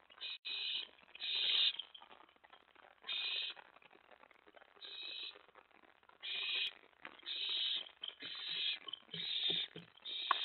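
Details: Owl at a nest at night on May 24, 2017, around mouse and rat prey deliveries, an owlet present. Harsh, hissing screeches in bursts of about half a second, irregularly spaced, over a faint rustling background.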